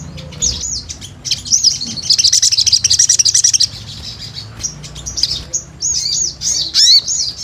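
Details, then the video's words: Sunbird in full song: high thin sweeping notes, then a rapid buzzy trill of evenly spaced pulses lasting about two seconds, followed by more looping whistled slurs and a short downward sweep, over a faint low hum. "Pancingan SOGON GACOR"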